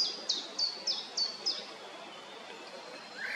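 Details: Eurasian wren at the nest in Heerensbos on 22 May 2019: six short, high notes that each drop in pitch, evenly spaced about a third of a second apart, then a faint rising note over quiet woodland background.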